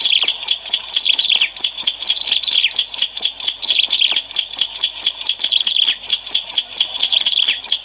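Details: Vigorous Bar-winged prinia song meant to attract birds. Fast, sharp, high chirps repeat in quick pulsing bursts, the pace accelerating in the latter half into evenly spaced rapid phrases.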